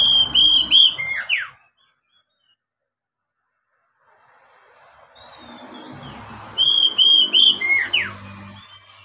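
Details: Oriental magpie-robin singing for training young captive birds: a phrase of sharp whistles and falling slurs, a long quiet gap, then another similar whistled phrase over low rumbling background.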